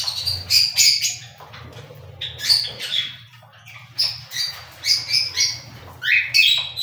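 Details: Busy cockatiel chatter: quick, scratchy chirps and squawks tumbling out several per second, ending in a rising call, with a faint hum behind.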